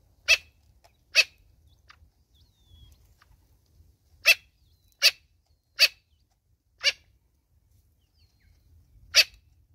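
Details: Mother Natal spurfowl with chicks in South Africa repeating a raucous, scratchy note in clusters, eight calls over ten seconds with pauses between groups.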